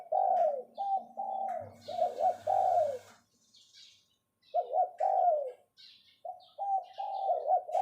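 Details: Spotted dove kept as a decoy bird, repeating its 'phao phao' calling phrase twice. Each phrase is several low, hollow coos ending in a longer falling note. A low hum and brief rustling accompany the first phrase, and faint whistles from other birds are audible.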